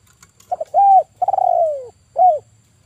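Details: A single cooing phrase from a male spotted dove kept as a trapping lure, 'kuk 1' style: two quick stuttered notes, an arched coo, a long burred falling coo, and a final short rounded note, in a quiet setting.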